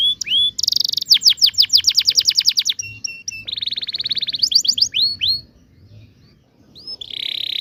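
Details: High canary rolling song, the 'ngerol' style, for young canaries learning song. A dense fast trill of downslurred notes, a few piped notes, a sustained buzzy section, more sweeps, then quiet and a final buzz.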